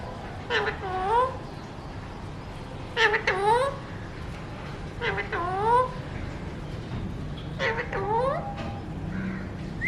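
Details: Mutation Alexandrine parakeet kept as a talking pet utters four similar imitated-speech phrases roughly every two and a half seconds, each made of clipped consonant-like clicks and rising, reedy vowel sounds, over low indoor background noise.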